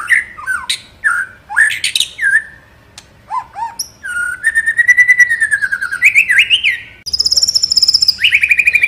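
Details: White-rumped shama singing to stimulate other shamas: varied fluty whistles, a long rapid trill at steady pitch, then a high fast trill and rising whistles.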